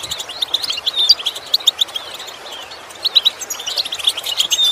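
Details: Goldfinch song from a training lesson for improving song: rapid high twitters with a few clear piping notes, coming in two bursts with a thinner stretch between them.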